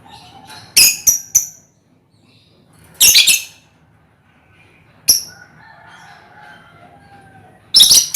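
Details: Shrill, harsh squawks come in short clusters from a colony of hand-reared lovebirds, a sound used as a lure for ngekek; quieter chirps and a soft background hum fill the gaps between bursts.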